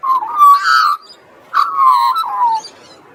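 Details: Australian magpie by the sea carolling in two phrases: rich, flute-like warbles that swell and then slide downward, separated by a short quiet gap.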